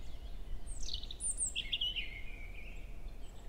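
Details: European robin in a forest at Hoher Peißenberg on an early May morning around 7 a.m., female close by; a sharp high note sliding downward, then a quick, glittering trill dropping into a thin sustained whistle over low rumble.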